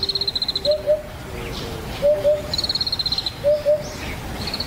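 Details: Eurasian Hoopoe, a rare vagrant near the foot of Yatsugatake, Japan, gives low paired hoots a few times, mixed with a rapid high trilling bird and other lower whistled notes from nearby birds.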